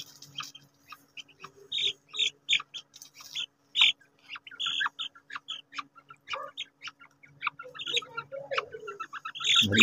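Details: Fighting quail give short, sharp chirps and squeaks in quick, irregular bursts, with a low hum and a brief human voice near the end.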